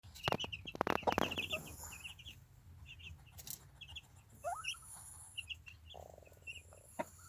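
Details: Easter Egger chicks, recently moved outside with their adoptive mother hen into a movable chicken tractor on fresh grass, peep in quick, high, short chirps from several overlapping birds, with a few rustles and thumps early on and a low background hum.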